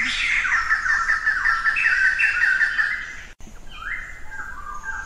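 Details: Loud, dense cackling chatter of white-crested laughingthrush, a Southeast Asian bird of bamboo and forest undergrowth, fading after about three seconds; a new phrase follows with clear rising whistles stepping lower in pitch.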